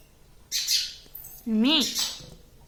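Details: Pet green ringneck parrot indoors: a harsh hissing squawk, then a short voiced, wavering word in the bird's nasal talking voice.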